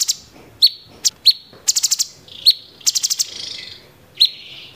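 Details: Sooty-headed bulbul, known locally as cucak cungkok, giving "tembakan gereja" phrases: piercing short whistles, clicking bursts in fours, and a longer hissing rasp after the middle.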